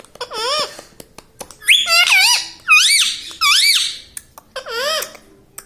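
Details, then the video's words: Household parrot said to speak 'mummy', 'papa' and 'radhe radhe'; shrill, looping up-and-down syllables repeated in several phrases of two or three, like clipped mimicked words, indoors with light tapping noises. "Parrot talking everything || mummy mithu bolta hai"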